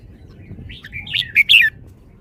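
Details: Red-whiskered bulbul kept in a cage, giving a short burst of bright, quick chirping whistles that grows louder toward the end, against a low constant hum.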